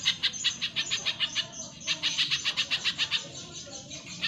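Spiderhunter giving rapid runs of sharp, high chipping notes, about six a second, in two bursts split by a brief pause; faint background hiss.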